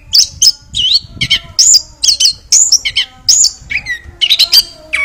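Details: Varied chestnut-backed thrush song of looping, slurred whistles and high squeaky notes, some swooping down then up, delivered in quick succession over soft low background noise.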